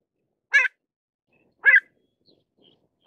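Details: Pied avocet giving short, sharp harmonic calls about a second apart, each a brief bright note with a clipped ending. Two full calls and the start of a third are heard against a silent background.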